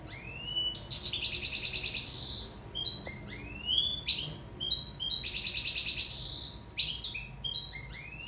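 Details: European goldfinch from Sicily in love, delivering bursts of fast buzzy trills and rising whistles separated by short pauses, the phrases repeating about every two seconds over a low steady hum.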